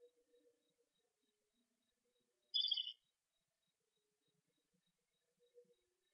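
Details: On their fourth day in a nest box, around 8 PM when the owlets are briefly left alone, young Eastern screech-owls give a single harsh, raspy screech of about half a second; otherwise near-silent with faint soft knocks.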